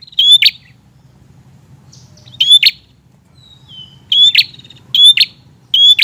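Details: Hard-singing prinia meant to provoke untamed birds, scattered phrases of a high rising whistle ending in a buzzy rattle, with a soft drawn-out whistle in a pause, then three closely spaced phrases.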